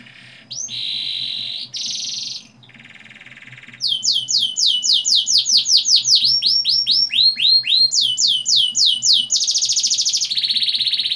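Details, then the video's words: Canary song with long rolls, used to stimulate young canaries to sing. Buzzy trills and a low rattle lead into a long rapid series of downswept whistled notes, ending in a loud sustained buzzy roll. "Pancingan kenari paud ngeroll panjang, agar cepat ngeriwik dan gacor"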